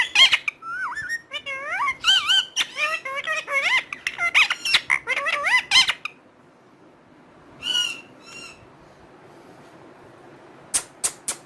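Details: A talking parrot utters a quick run of wavering, speech-like syllables for about six seconds, then falls quiet apart from a brief buzzy burst and a few sharp clicks near the end.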